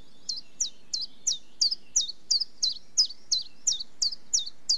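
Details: Common chiffchaff song: a steady run of about thirteen high, sharp, downward-flicking notes, roughly three per second, over quiet low background hiss.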